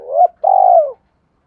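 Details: Close spotted dove coo for stimulating decoy birds: one swelling note, a short silence, then a sustained, smooth coo that drifts downward and fades.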